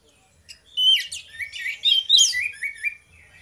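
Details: Anis merah duo singing ngeplong, a lure to set other orange-headed thrushes singing: a quick flurry of sharp high notes and twitters, then lower whistled slurs repeated several times before fading.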